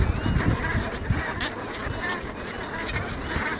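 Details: Many geese in a meadow on Ameland, the Netherlands, calling at once: rapid, uneven honking from a crowded flock, steady wind noise in the background.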